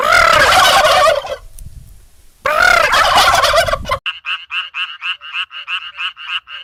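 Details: Turkey gobbling: two loud, rattling gobbles, each over a second long, separated by a pause, then a fast train of short, sharper clucking notes repeated several times a second.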